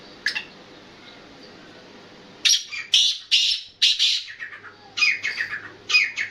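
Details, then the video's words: Black francolin, known locally as kala teetar, calling in a series of loud harsh grating notes in bursts, with a phrase of about five notes followed by further clustered bursts. "Kala Teetar ki Awaz"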